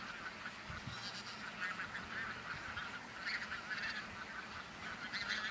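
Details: Several thousand bean geese on a Texel field, Netherlands, 22 November 2014. A constant din of honking swells and eases in waves, with a faint low hum beneath.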